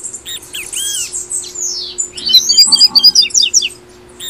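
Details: Double-collared seedeater singing the tui tui song style, Brazil, played to encourage caged birds to sing: high buzzy trills and sweeping whistles, then a fast run of sharp chipping notes near the end, over a steady low hum.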